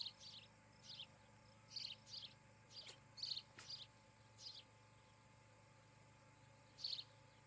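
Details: Osprey pair at their nest near Charlo, Montana, on a nest camera, evening of 17 July 2018; short high chirping bursts in scattered clusters over about seven seconds, with steady ticking insect-like pulses and a low hum behind.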